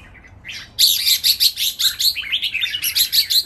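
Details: Caged red-whiskered bulbuls competing in a Thai singing match where phrases are counted: a loud, continuous run of sharp, bright chirps and whistles pulsing several times a second.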